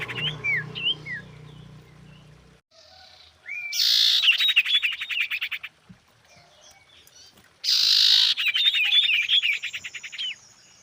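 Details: Female Common Iora, used as a lure call for males, gives a few sharp chirps, then two loud bursts of fast, high, scratchy chattering notes, each lasting about two seconds.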